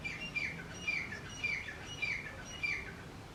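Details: Male and female grey francolins calling loudly together: a rhythmic run of sharp, squawky whistled notes roughly every half second, set against a noisy background.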